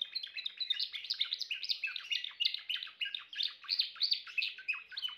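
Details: Timbrado canary in full song, a continuous stream of rapid chirped syllables and rolling trills delivered without pause, loud and close.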